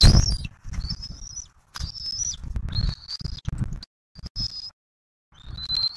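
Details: Bald eagles at a nest in Southwest Florida on 15 March 2024, parents bringing turtles and feeding an eaglet, recorded by nest camera: thin, high drawn-out whistles in separate bursts, over low rumbling wind noise with brief silent gaps.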